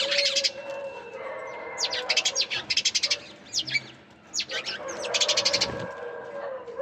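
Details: Sparrow chirping in scattered clusters of quick, high notes over a steady low hum and background noise, with a short quieter stretch in the middle.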